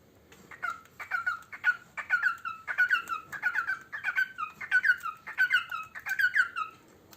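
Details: Pet parrot singing while eating: a steady run of short, bright, harmonic whistled notes, each sliding downward, repeated about one and a half times per second for several seconds.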